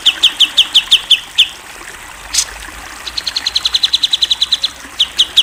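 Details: Cucak jenggot, the grey-cheeked bulbul, a national contest winner, singing in a masteran recording: high sharp chips in steady series, a brief pause with one loud burst, then a long fast run of chips and more spaced notes.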